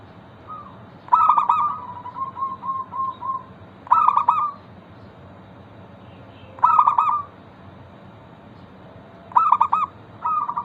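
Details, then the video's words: Zebra dove of a local strain, a frequent singer played so other zebra doves start singing: four loud stuttering, rolling coos spaced nearly three seconds apart, the first trailed by a run of soft, short level notes; faint background hiss. "Perkutut lokal gacor pancingan ampuh Suara disukai burung perkutut bikin cepat bunyi langsung nyaut"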